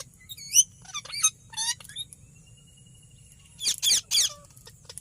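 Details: Ringneck parrot chirping: scattered thin whistled notes and short squeaky calls, then a cluster of three loud harsh screeches near the end.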